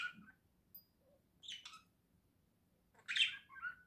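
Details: Pair of pet budgerigars in a cage indoors, November 2024: scattered short bright chirps, with a longer buzzy warbled burst near the end and a faint low hum behind.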